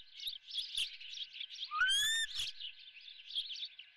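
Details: At the nest with a fresh, live fish for breakfast, an osprey gives one loud, rising whistled call lasting about half a second, richly overtoned, set against constant high twittering of other birds.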